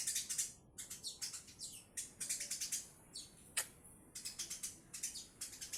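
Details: Male Eurasian tree sparrow giving sharp, high chirps in short bursts, some clustered in quick runs and others single, separated by brief pauses, over a faint steady background hiss.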